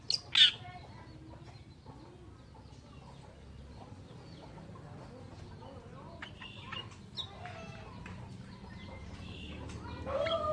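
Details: Oriental reed warbler (Acrocephalus orientalis) giving a harsh, chattering song of scratchy, croaking notes in uneven bursts, opening with a loud squawk, over a low background rumble.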